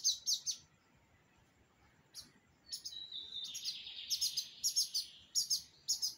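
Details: Owned lined seedeater singing in pirata style: quick high chips, a brief thin whistle, then a building series of sharp, slightly buzzy notes over a hiss of background noise.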